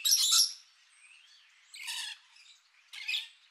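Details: Harsh, grating squawks from rainbow lorikeets: one loud rasping burst, then two longer buzzy screeches a second apart, with faint softer chatter between them.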